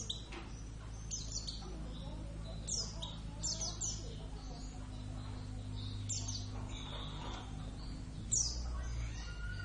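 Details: Kept Oriental white-eye, Javan subspecies Zosterops palpebrosus javanus, singing: scattered high, quick downward-slurred chirps over steady low background hum.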